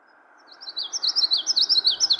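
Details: A male Common Yellowthroat sings its breeding-season song from thickets: a loud, rolling 'wichety-wichety-wich', rapid repeated high notes, over a steady low hum.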